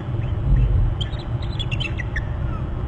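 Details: Bald eagle calling at its nest territory on Hornby Island, recorded by a nest camera on March 11 at 10:39 during a fly-by, before being displaced by an adult eagle; a quick series of high, thin chittering notes over heavy low rumbling wind noise.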